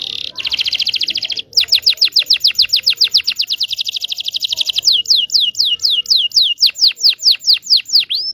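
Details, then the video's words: Local Indonesian canary song used to teach young canaries: a buzzy trill, then a long steady run of rapid repeated sweeping notes that turn into slower, deeper downslurred whistles. "PANCINGAN KENARI MACET BUNYI.. PANCINGAN KENARI PAUD BELAJAR BUNYI"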